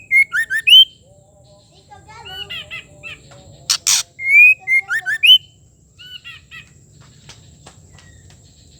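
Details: A female White-rumped shama gives bright, clear whistles mixed with quick chattering notes, repeating a similar phrase about four seconds later, with a sharp click between. Female calls like this are used to provoke male shamas into full song.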